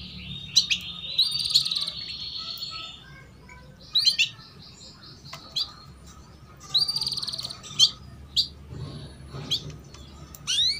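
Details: Female canary chirping "cuit cuit", used to prompt young canaries to sing sooner: scattered bursts of rapid, high twittering chirps separated by short quiet gaps, with a faint steady hum underneath.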